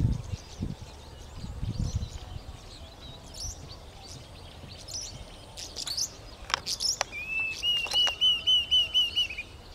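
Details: Diederik cuckoo at Bahir Dar, Ethiopia, recorded 17 October 2022. Scattered chirps and ticks from other birds come first, then a fast run of about ten bright, whistled notes near the end.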